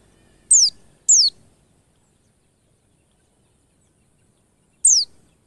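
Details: White-eye lure for getting white-eyes to sing quickly: two fast high, downward-sliding notes in quick succession, a long silence, then one more similar thin note.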